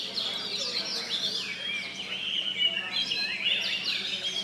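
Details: Several oriental magpie-robins sing at once in a Sarawak, Malaysia bird-singing competition's final class, producing continuous mixed whistles, downslurred notes and chattering phrases over a faint low hum.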